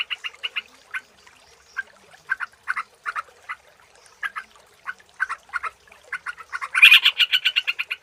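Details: Sooty-headed bulbul heard as a lure sound. Scattered short chattering notes, mostly in pairs and triplets, build into a loud fast rattling series near the end.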